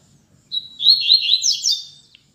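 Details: Captive double-collared seedeater (coleiro) brought along by a friend that day, singing a loud, rapid warbled phrase of high twittering notes lasting about one and a half seconds, with faint low background rumble.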